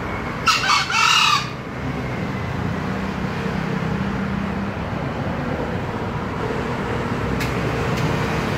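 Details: Green junglefowl giving one short, hoarse, broken crow near the start, then only steady loud rumbling background noise, like traffic or wind, for the rest.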